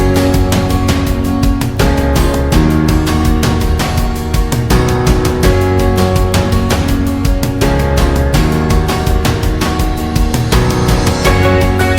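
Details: Loud, driving instrumental music with a steady fast beat and heavy bass throughout, with no animal sound.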